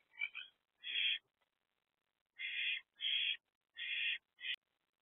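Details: Barn owl at an owl box at night, 7 April 2024, around 1 am; the mother perched with her two oldest owlets, youngest inside. Six harsh, hissing rasps, each about a third of a second, in uneven spacing.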